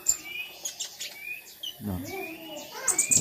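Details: A moulting konim cage bird near a pond at midday, tail still short and shedding small feathers, sings steadily with high, thin chirps and short whistled phrases, unafraid; a woman speaks briefly.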